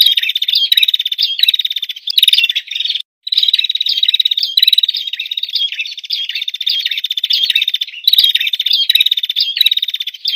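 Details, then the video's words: Female bar-winged prinia in a training recording: an almost continuous run of fast, scratchy twitters and chirps, with one brief silence near the middle. "Masteran burung prinjak betina"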